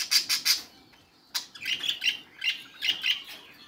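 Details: Budgies calling: three quick bright high chirps, a short pause, a single sharp note, then a run of mid-high warbled chirps at a steady lively pace.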